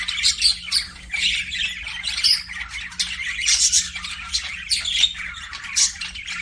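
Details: Pet budgerigars in an aviary giving rasping squawks and chirps in rapid overlapping bursts, a few sharper high notes standing out, constant low hum behind.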